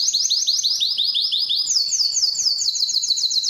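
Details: Canary singing to attract females for breeding: fast repeated downslurred high notes forming a rolling trill that shifts higher halfway through, steady and unbroken.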